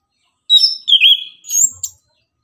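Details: Anis kembang, the orange-headed thrush, in lively morning song used to rouse other birds: a quick phrase of high whistles, a wavering middle note and a thin rising ending.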